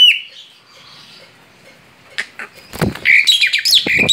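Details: Male Asian pied starling singing outside its cage: a single opening whistle, then near quiet for two seconds, followed by a sudden loud outburst of harsh chatter and shrill squeaky notes.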